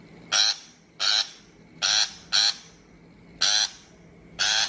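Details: Shrike harsh call for bird trapping: six loud, scraping bursts, with a close double in the middle, repeated about every second against a faint hum.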